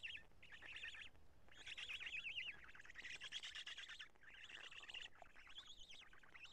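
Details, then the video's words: Black storks feeding and changing over at Karula on 2 June 2017, evening; rough bursts carry wavy, warbling notes that rise and fall, in four phrases with short gaps. "Black Stork~Change and Feeding"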